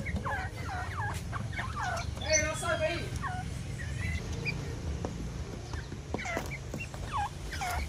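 Grey francolins call in an overlapping chorus of loud, harsh, swooping notes repeated in quick runs, over a steady low rumble.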